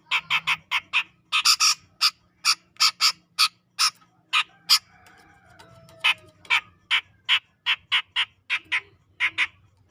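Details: Grey-cheeked bulbul of Sumatran tropical forest near Medan, singing gacor in ngepik style: a long string of about thirty hoarse, clipped notes, mostly three to four a second, pausing briefly midway with faint whistles behind.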